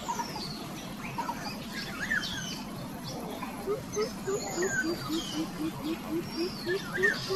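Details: A mother coucal scolds chicks still hungry after being fed. Deep hooting notes repeat steadily for several seconds, with faint higher chirps and a constant low hum behind them.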